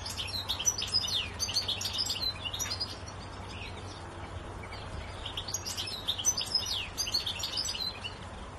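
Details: Goldfinch song from a bird perched in a tree, a rapid jumble of tinkling, twittered notes and quick slurred chirps in two lively bursts with a brief lull between, a low background hum throughout.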